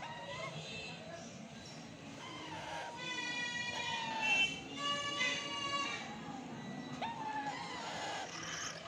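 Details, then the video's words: A baby rose-ringed (Indian ringneck) parakeet gives nasal, whiny calls in uneven bursts, some drawn out and wavering, over a low indoor hum. "Indian ringneck baby parrot"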